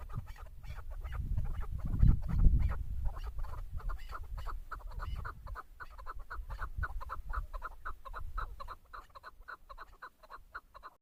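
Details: A female Chukar partridge (Alectoris chukar) gives rapid, clucking chuk notes, roughly three a second, in a steady chattering run, with low rumbling handling noise early on.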